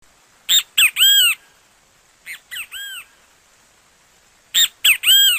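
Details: Great kiskadee, a Brazilian bird, singing: a loud three-part phrase of two short sharp notes and a longer arched whistled note, given three times, the middle phrase softer like a distant echo; quiet background.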